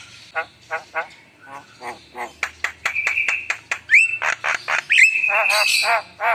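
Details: Varied Javan myna song full of isian fillers: evenly spaced nasal croaks give way to sustained whistles and rapid, harsh chattering notes.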